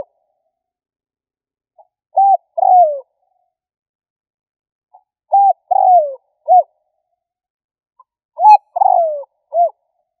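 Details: Luring call of a spotted dove, given to provoke rivals: three mellow cooing phrases roughly three seconds apart, each a short coo, a drawn-out descending coo and a clipped closing note, over a silent background.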